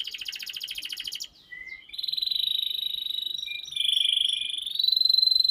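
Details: Canary tutor song, long and continuous, for drawing young birds into singing: a rapid rolling trill breaks off, a brief rising whistle follows, then long steady high whistled tones hold and step upward in pitch.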